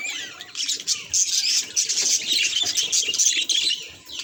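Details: Budgerigar reacting to a mirror: a dense, fast warbling chatter of high chirps and squeaky notes that runs almost without a break, with a few brief pauses.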